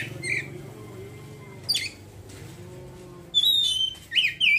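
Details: Oriental magpie-robin in ngeriwik twittering: an isolated chirp and a harsh note, then a loud run of clear high whistles near the end, over background hum.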